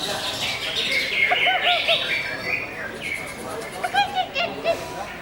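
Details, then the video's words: Greater green leafbird singing looping whistled phrases, then a series of short, clipped high chirps repeated rapidly toward the end. "CUCAK HIJAU BUSSER"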